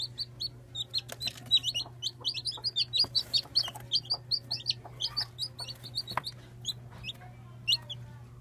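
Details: Day-old chicks in a lively chorus of shrill, sharply falling peeps, many calls crowding over one another in quick irregular bursts, with scattered clicks and a steady low hum in the background.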